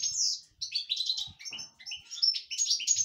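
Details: A caged European goldfinch sings excitedly, a rapid, liquid twittering of tinkling high notes and short buzzy trills running almost without pause.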